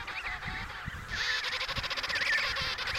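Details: Emperor penguin calls in the Riiser Larsen Colony, Antarctica, recorded November 2010: loud, rich, rapidly quavering trumpeting calls, several birds overlapping, with a louder bird cutting in midway and a little wind noise underneath.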